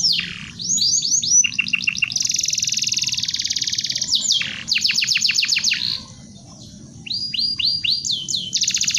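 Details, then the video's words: Canary song recorded as a tutor for training birds: varied phrases of downward-curving whistles, buzzy held trills and quick rhythmic runs of repeated sharp notes, separated by a brief pause. "SUARA BURUNG KENARI‼ YANG MUNngkin ANDA CARI UNTUK MASTERAN"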